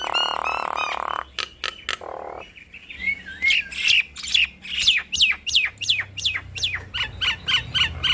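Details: Nias hill myna duet used to stir other mynas to respond: a harsh, noisy buzz, then a series of loud, sharply falling whistles repeated roughly every half second, with clicks between them.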